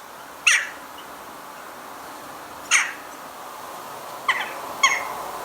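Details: Eurasian Jackdaw in a Hampshire, UK garden in 2020, where three or four usually arrive early with rooks, giving its main call: short, sharp, petulant-sounding 'tchak' calls, four in about five seconds, irregularly spaced with a quick double note near the end, over steady hiss.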